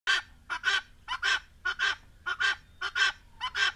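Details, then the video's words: Helmeted guineafowl giving harsh, grating two-part cackles, repeated about every half second in a steady rhythmic series. "Canto da Galinha d Angola"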